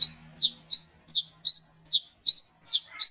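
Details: Brown-throated sunbird calling to others of its kind at night, ngalas ngeplong style for luring: eight loud, high, slurred chirps in quick succession, roughly three each second, in a quiet background.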